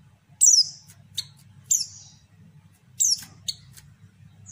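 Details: A female white-eye gives high, piercing down-slurred chirps and quick ticks, a call used to lure males and spur quiet birds to sing; low humming noise in the background.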